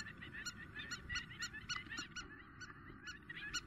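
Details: Spur-winged lapwing calling intensely in Greece in April: sharp, harsh, metallic notes repeated rapidly in stacked clusters, several birds overlapping, over low background rumble.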